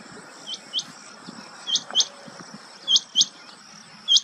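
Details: Rain quail at Chandlai lake, Shivdaspura, Rajasthan, on 30 July 2020 gives sharp, high, metallic notes in quick pairs, 'which-which', about every second, over a steady high hiss of insects.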